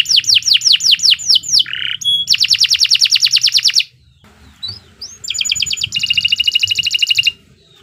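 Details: Canary singing long, continuous training song: rapid series of rising whistled notes, then dense buzzy high trills, a short pause, and another bright rattling trill, all high-pitched and loud.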